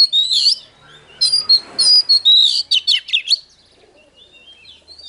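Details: Singing Oriental magpie-robin: a few scratchy high notes, then a loud burst of about ten rapid, sharp whistled chirps. The song trails off into faint, thin twitters.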